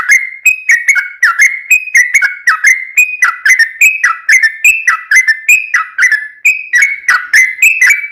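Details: Vigorous yellow-vented bulbul song meant to lure other birds: a continuous, rapid chain of liquid whistled notes, each starting with a sharp click and sliding up or down, about three notes a second.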